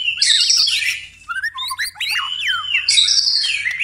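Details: White-rumped shama singing at night, steadily in full voice: a dense burst of high buzzy notes, then a run of clear slurred whistles that sweep up and down, and a second buzzy burst to close.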